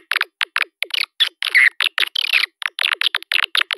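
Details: Swiftlet lure call meant to draw swiftlets in: quick separate chirps and clicks at an uneven pace, with two longer raspy twittering bursts in the middle.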